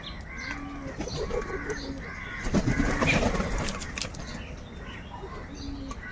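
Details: A large flock of crows calling loudly while fighting for food; overlapping harsh, repeated caws build to a dense, noisy chorus in the middle before easing off.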